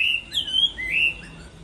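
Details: Chinese hwamei singing in contest style during the moult: a short fragment of clear, drawn-out whistles, some flat and some slurring upward, with a few faint higher notes.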